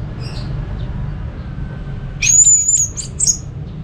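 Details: Orange-headed thrush, North Bali, its song meant to set other thrushes singing: after a quiet stretch comes one bright high whistle held briefly, followed by a few sharp chips, over steady low hum.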